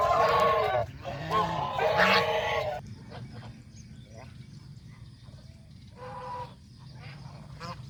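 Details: Farm geese, goslings and adults, being fed fresh grass beside a pond in the countryside. Three loud, harsh, nasal honks come in quick succession, followed by a quieter pause and then one more honk. Faint rustling sounds lie underneath.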